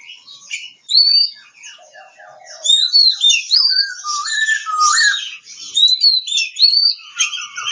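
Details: A kacer, or Oriental magpie-robin, in Kebumen, Central Java, singing soft ticking notes that lead into loud, varied high whistles, slurs and short warbled phrases in quick succession.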